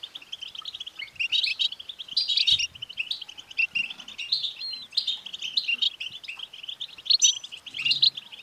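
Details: Steady twittering from a European goldfinch, played to push a male to sing, made of rapid liquid chirps and brief nasal notes run together without a break, with a faint low sound near the end.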